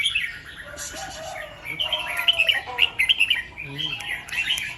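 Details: Morning song of a red-whiskered bulbul in the 'double 2-3' and 'rik' styles: bubbly whistled notes in clustered bursts, with softer lower whistles from other birds in the background.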